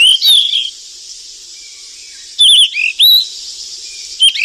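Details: Feeding its nestlings in the wild, a golden flycatcher utters clear, slurred whistled chirps. One burst opens the recording, then a run of three or four follows after a pause, all above a steady high insect hum.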